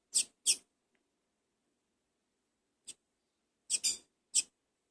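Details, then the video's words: Young double-collared seedeater, first brood raised in captivity, begging during feeding: bursts of sharp, very high squeaks, a pair at the start, then a pause of two seconds before a quick cluster of three more. "Alimentando minha primeira cria- filhote de coleiro"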